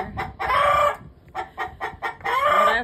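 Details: A rooster calling while a hen lays an egg, as he does whenever the hens lay: two drawn-out, harsh, harmonic calls about two seconds apart, with a run of short, clipped clucks in between.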